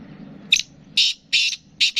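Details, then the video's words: Black francolin, or kala teetar, of the Sindh and Punjab region: four short, grating, scratchy bursts spaced about half a second apart, harsh and high, over a faint low background hum. "Kabotra Kala Teetar Chakri Wala Teetar Speeder kala Teetar"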